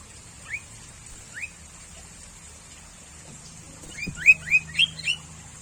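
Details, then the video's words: Sooty-headed bulbul, common near homes, giving two spaced rising whistles, then a quick cluster of four or five upslurred whistled notes, with a soft low click and hum in the background. "SUARA BURUNG KUTILANG - BURUNG CANGKURILENG"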